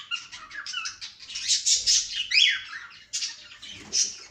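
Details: Cockatiel chattering in a steady stream of high, scratchy chirps and squeaky warbled notes, overlapping in a dense run with a brief pause before a final burst.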